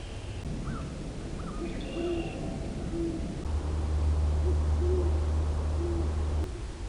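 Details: Great horned owl at Long Swamp Sanctuary, captured by an acoustic monitor: a few low, muffled hoots spaced about a second apart, with brief higher chirps from other birds early on and a droning low hum in the second half.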